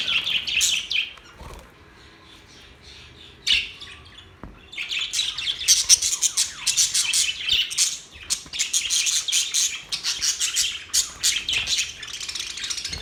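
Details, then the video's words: Budgies warble in a long, busy run of rapid, high, buzzy chirps and squeaks that starts after a brief pause. "Budgies sounds | Budgies singing | Budgies chirping sounds"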